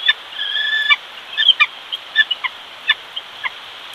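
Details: At a Big Bear, California bald eagle nest where the male brings fish to feed the lone chick: a sustained whistled note, then a string of sharp, high chittering chirps at uneven intervals against hiss.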